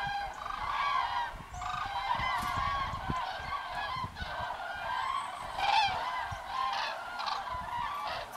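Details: Common cranes returning to roost in a line, a dense chorus of bugling, rolling calls from many birds overlapping for the whole stretch, some rumble from wind underneath.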